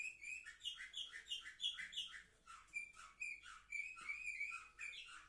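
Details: Canaries of the Orfey line at seven months, recorded 10 November 2023, deliver quick repeated chirps, about three a second, mixing clear whistled notes with lower dropping slurs.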